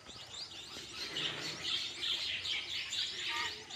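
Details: Chicks in the nest give a busy chorus of high, squeaky chirps in bursts roughly twice a second, growing louder after the first second.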